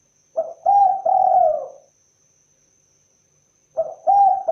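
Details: Spotted dove, known locally as tekukur or derkuku, giving its natural call: soft low coos in a short phrase of three notes, the last drawn out, then a new phrase beginning after a two-second pause; faint steady high hiss behind.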